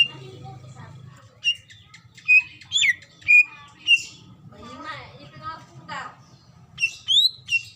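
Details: A female greater green leafbird calls to a male while in breeding condition. Sharp whistled notes come in bursts about every half second, with a rough warbling passage in the middle and a steady low hum.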